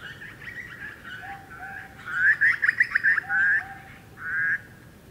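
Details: A Grey Butcherbird in Australian bushland mixes soft low whistles with a loud burst of fast cackling notes, then a drawn-out harsher note near the end.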